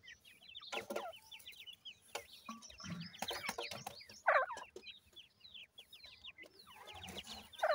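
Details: Grey francolin chicks bred in captivity from a gora teetar male and a dakhni teetar female give steady high, downslurred cheeps from many birds, with thumps, rustling and occasional louder rasping notes.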